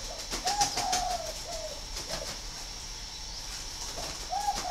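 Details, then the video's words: Spotted dove from a breeding aviary in Ba Vì, Hanoi, northern Vietnam: a run of soft, low coos rising and then falling, a pause, then another coo near the end, with sharp clicking and tapping sounds throughout. "chim cu gáy hay 88 miền bắc"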